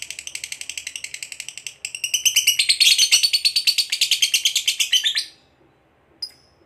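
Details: Long ngekek trill from a lovebird described as a fighter bird, used to provoke a rival: rapid high chattering that grows louder after two seconds, runs to about five seconds, stops, then one short chirp.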